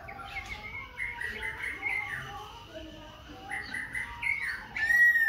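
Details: Khe Sanh laughingthrush changing its voice continuously as it sings and dances; soft warbled notes build into a loud sharp whistled phrase at the end.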